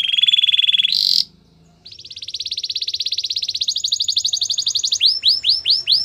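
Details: Canary song for training: a steady high trill, a brief pause, then a long rapid pulsing roll that climbs slightly in pitch before ending in slower looping whistled notes, over a faint low background hum.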